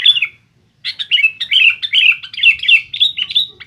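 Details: Sooty-headed bulbul singing persistently to goad rivals, a dense stream of fluty, bubbling warbled notes running almost continuously after a short opening phrase and a half-second gap.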